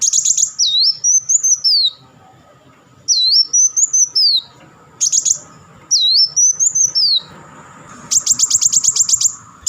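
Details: Purple-throated sunbird (kolibri wulung) giving chattering bursts and rapid-fire phrases: high, thin sweeping whistles looping downward then up, alternating with clusters of sharp, very high ticks, in three-second bouts separated by short pauses.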